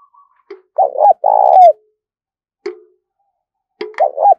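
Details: Calling spotted dove kept as a lure for other doves: a short double coo and a long rough coo ending in a downslide, scattered clicks, then the start of a new phrase.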